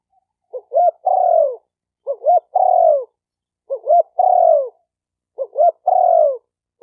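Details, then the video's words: Spotted dove cooing for training a newly caught wild dove: four evenly spaced phrases of two quick rising hooks and a longer descending coo. The phrases come roughly every one and a half seconds, with nothing else audible. "Tiếng chim cu gáy tập bổi chuẩn nhất chim hay"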